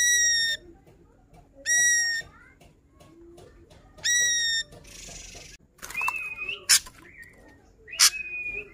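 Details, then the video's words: An ashy drongo in full song, showing its range. It gives three loud, rich whistled notes about every two seconds, each with a short falling tail. These are followed by buzzy, rasping phrases and sharp, clipped notes. "Srigunting abu - abu Gacor bongkar Isian"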